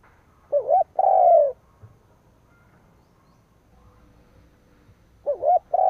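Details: Decoy spotted dove calling to stir up rival doves, two-part phrases of a trembling short coo and a long falling coo, spaced about four and a half seconds apart in a quiet setting.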